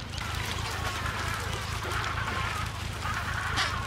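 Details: Adélie penguins in a breeding colony of 150,000 pairs on Paulet Island, Antarctica, 1 February 2019: overlapping harsh, braying calls with banded harmonic tones from many birds, over constant low wind rumble.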